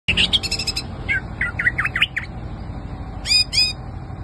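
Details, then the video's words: Greater green leafbird singing a varied phrase: rapid chirps, then a run of quick whistled up-and-down notes, a pause, and two bright rising trills, all over a steady low mechanical hum. "CUCAK IJO MATERI SUPER"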